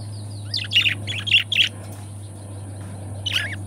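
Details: Two pet budgerigars kept together as companions, giving a quick run of scratchy, high chirps in five close bursts, a pause, then one more chirp near the end, over a steady low electrical hum.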